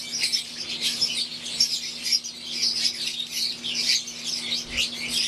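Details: Aviary-kept green Fischer's lovebirds alongside Euwing lovebirds, lively overlapping chirps and squeaks from many birds in uneven bursts, with a constant low electrical hum.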